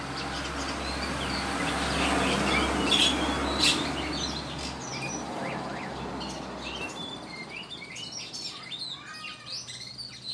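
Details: A kept Oriental magpie-robin in Sukanegeri village sings at midday, starting to sing melodiously again, giving varied sweet whistled phrases and chirps, clearer toward the end, over a steady low hum and rustling.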